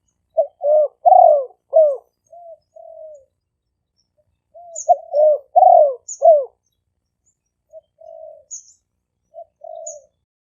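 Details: Caged spotted dove used to lure wild doves, recorded in Khok Lam, Roi Et, Thailand, on a smartphone. Two bursts of five throaty, rolling coos, each followed by softer trailing notes, with faint high chirps heard occasionally.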